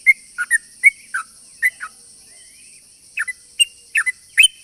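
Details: Sooty-headed bulbul in full song, a long rapid song used as a lure for other bulbuls: short clipped chirps and slurred whistled notes in scattered bursts with a pause midway, over a steady high whine.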